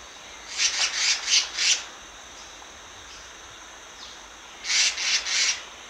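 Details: Black-naped monarch kept as a decoy bird, giving high, raspy, saw-like notes in a quick burst of four, then a pause and another burst of three; quiet background hiss.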